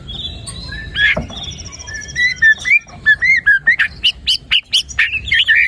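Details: White-rumped shama song used as a lure to get a quiet bird singing: a varied run of short whistled and chirped notes, rising and falling, quickening into a rapid string of sharp bright phrases toward the end.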